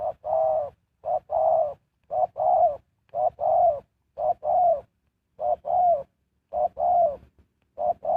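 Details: Low cooing of a spotted dove used as a decoy to attract wild birds, a short note and a longer slightly wavering note, repeated in steady pairs about once a second.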